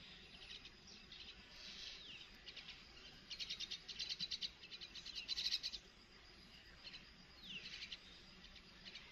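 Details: Myna feeding a baby bird: bursts of rapid, harsh, repeated high chattering notes in several runs, with occasional sweeping squeaks and a quiet outdoor background.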